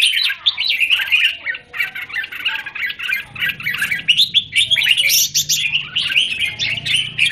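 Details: Caged red-whiskered bulbul in a square cage, recorded 17 January 2019, singing a dense, rapid stream of bright chirping and warbled notes with brief pauses, joined partway through by a low rumbling background noise.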